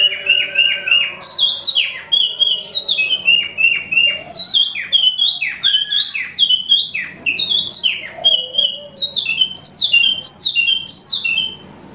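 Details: Imported caged Wambi mini, also called Tieu Mi, singing vigorously: a fast, continuous run of loud whistled notes, each sliding down or bending, repeated several times a second with no pause, with faint low hum beneath.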